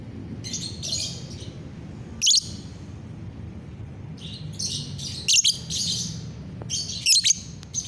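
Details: Morning lovebird song recorded 30 November 2021: a run of high, buzzy chattering phrases with piercing chirps scattered through, uneven spacing, faint low background hum.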